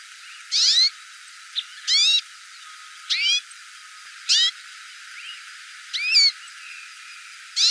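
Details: Calling Hooded siskin giving sharp, ringing chirps roughly every second, some with a brief upward flick, with a few softer short notes between them against a light background hiss.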